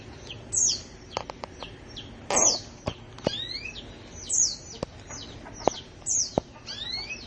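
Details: Gacor canary delivering scattered high downslurred chirps and short sweeps at irregular intervals, with sharp clicking ticks between notes.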